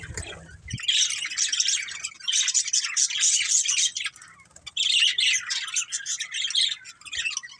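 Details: A family of budgerigars chirping: after a brief low thump, dense, scratchy warbled chatter with squawky notes runs almost without a break, pausing once for a moment before resuming.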